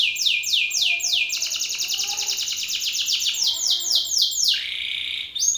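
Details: Belgian canary male belting out song at a rival: fast sequence of high downward sweeps blending into a dense rolling trill, ending in a short lower buzzy note.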